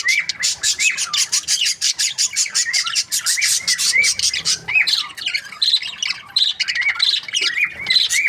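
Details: Several budgerigars from breeding pairs chirp in a lively chorus, rapid buzzy warbles stacked on repeated little arched whistles, the chatter running almost without pause for eight seconds.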